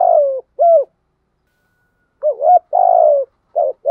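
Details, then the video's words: Low, hollow spotted dove cooing from a lure recording for rousing decoy birds: a long grating coo and a short coo, a pause, then a clipped double note, another long burry coo falling in pitch, and more short coos. "tiếng chim cu gáy mồi kích bổi"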